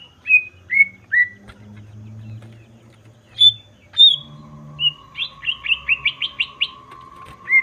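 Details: Greater green leafbird song for provoking other birds: a few falling whistles, two high sharp notes, then a quick rising series of six chirps, a steady low tone and hum underneath.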